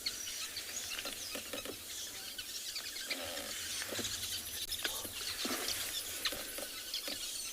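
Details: Sociable weaver colony at a very large nest at Tswalu Kalahari, South Africa, on the afternoon of 19 March 2021: a dense stream of overlapping high chirps and twitters, with the soft calls of chicks inside as parents return with food.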